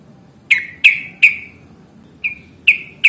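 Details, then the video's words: Yellow-vented bulbul, locally trucukan, giving fighting calls meant as a lure to draw answers: crisp, bright notes that drop in pitch with a trailing tail, three in quick succession, a gap, then three more, with quiet surroundings. "trucukan gacor tarung ROPEL PANJANG pancingan trucukan agar bunyi JADIKAN burung trucuk GACOR nyaut"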